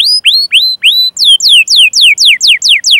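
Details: Canary chirping for prompting other canaries to sing: rising whistled notes give way to a steady series of clear descending slurs, about four per second.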